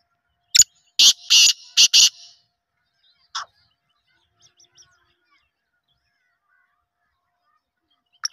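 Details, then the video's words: Black francolin heard in winter on 10 November 2023 giving a rapid, harsh phrase of four to five scratchy notes within about two seconds, followed by long silence and a few faint clicks. "کالے تیتر کی سردیوں کی خوبصورت آواز"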